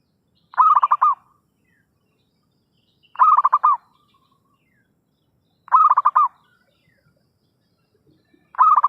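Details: Zebra dove lure call for trapping: steady bursts of stuttering, pulsed cooing repeated about every two and a half seconds, four phrases in all, the last cut off, against quiet surroundings.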